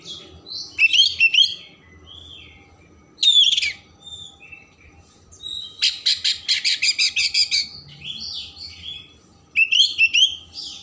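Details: Oriental magpie-robin song to stimulate emotion and tail opening: bright twisting whistles, a loud rasp, then a long fast series of harsh buzzy pulses and more looping notes.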